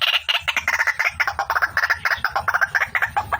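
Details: Female white-breasted waterhen lure call: fast run of short harsh notes, about six per second, steady and slightly descending, with a faint low hum.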